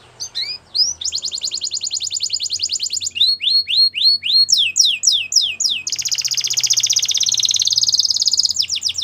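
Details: Belgian canary training song with short rising notes, a fast metallic trill, a run of descending slurs, and a long, dense, buzzing roll, over faint low hum.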